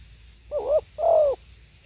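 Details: Two mellow coos from a spotted dove: a short wavering note followed by a longer, slightly falling hoarse coo, lasting under a second together.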